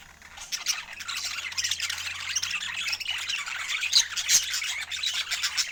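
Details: Budgerigars filmed in natural Scandinavian light, eating fresh food. Dense high-pitched chirping and warbling chatter from several birds continues throughout, with squeaky notes and short sharp chirps layered over a faint low hum.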